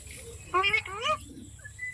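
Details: Parrot giving two brief, rich, speech-like harmonic phrases, each under half a second, with a faint thin whistle afterwards over low background hum.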